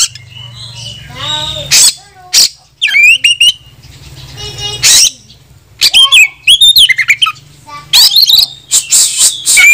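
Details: Calling a rival to fight, an Oriental magpie-robin (kacer) sings a mixed medley of bright whistled sweeps, trills and harsh chips, with a steady low hum and hiss in the background.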